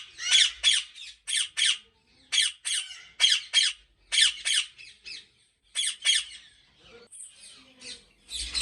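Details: Ringneck parrot in a Pakistani breeding farm uttering shrill, rasping squawks in pairs and triplets separated by short gaps, with quieter chatter trailing off near the end.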